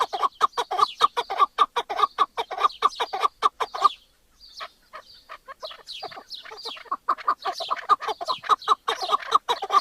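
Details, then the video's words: Rhythmic chuck-chuck calling from a Chukar partridge breaks off briefly, gives way to a few higher, thinner notes, then resumes as a fast, steady clucking series. "Partridge Call | Chukar Sound Effect"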